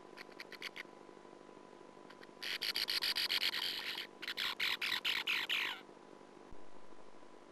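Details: Sand martins at a colony nest burrow in 2009, a persistent intruding female present: bursts of rapid, buzzy, raspy chattering notes in two long runs, with a steady electrical hum beneath.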